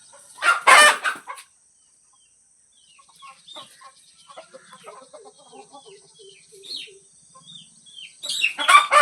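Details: Village hen at feeding time: two loud, harsh bursts open and close the stretch, with a scattered run of soft, thin peeping and clucking notes filling the quiet middle.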